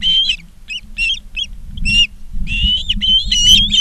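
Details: Ospreys recorded at Charlo, Montana, August 19, 2023, 16:05. Short clipped chirps at first, then a longer run of piercing, slightly harsh whistled calls, with low rumbling background noise throughout.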